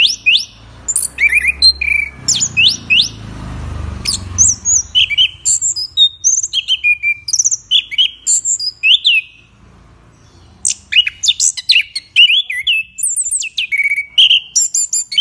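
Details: Prize-winning caged Orange-headed thrush, a presidential cup champion in Yogyakarta, delivering continuous gacor song: bursts of sharp chirps and sweeping whistles, a short pause near ten seconds, then fast varied phrases again over faint low background rumble.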